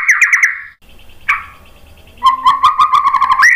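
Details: White-rumped shama song meant to prompt other birds to sing: a fast run of repeated whistled notes, a short quiet gap with one sharp note, then a buzzy, rapidly pulsing trill ending in a rising whistle.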